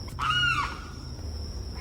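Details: A Limpkin sitting atop a bush at Boyd Hill Nature Preserve, St Petersburg, Florida, making a racket: one loud, harsh, half-second wailing cry that holds its pitch then drops, over a high thin whine; a squirrel and catbird in background.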